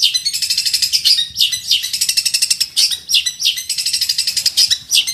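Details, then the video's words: Fighting long-tailed shrike (centet) singing a full masteran song to challenge rivals: continuous fast high chatter with interwoven whistled sweeps and trills. "centet petarung gacor full masteran cari lawan"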